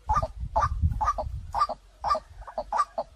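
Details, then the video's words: Lure recording of a white-breasted waterhen: throaty two-part croaking notes, roughly two per second, slightly uneven in rhythm, over a low background rumble. "เสียงนกกวักต่อ2020 เสียงใสเข้าเร็วมาก"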